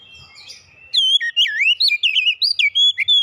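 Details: Oriental magpie-robin delivering a quick run of bright, looping whistled notes that dip and rise, with crisp high chips between them, after a second of soft background murmur.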